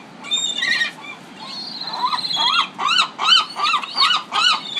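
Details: Pacific city gulls giving a series of harsh arched cries, starting with scattered squawks and a long drawn-out wail, then loud rhythmic calls repeated about every half second over low background noise.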